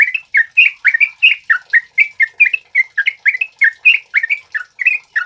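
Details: Sooty-headed bulbul male in full, lively song, used to tutor or provoke other birds: rapid bright chirps and short rising-falling whistles, delivered in a steady, busy stream with no pauses.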